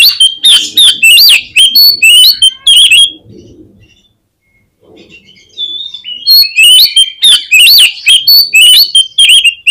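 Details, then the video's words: Oriental magpie-robin song used as a lure to make birds respond quickly and spread their tails; loud bursts of varied whistles, sharp chips and rising slurs, a quiet pause midway, then the rapid varied phrases resume. "PANCINGAN KACER INI BIKIN CEPAT RESPONESHIFT || AUTO RAJIN BUKA EKOR GAMPANG NYAUT"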